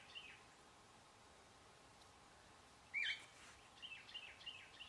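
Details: Least sandpipers, a group scurrying around a pond edge; a sharp high call near three seconds with fainter thin high notes before and after, over steady background noise.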